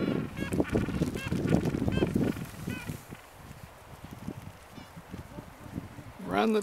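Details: Gentoo penguins hanging out in a rookery: a run of harsh, honking, harmonic calls repeated rapidly over the first two seconds, then quieter scattered low sounds, with a loud burst at the very end.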